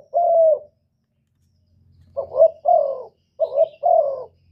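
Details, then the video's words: Spotted dove coos used as a trapping lure and to excite caged doves: one long, soft, level coo, a pause, then quick paired notes with drawn-out hooting coos, low and mellow. "Tiếng cu gù cực chuẩn dùng đi bẩy, kích chim nhà hiệu quả"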